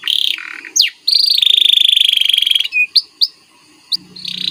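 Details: White canary singing a masteran training song: a buzzy sustained trill held over a second, sharp rising and falling whistled notes separated by short silences, then a renewed trill.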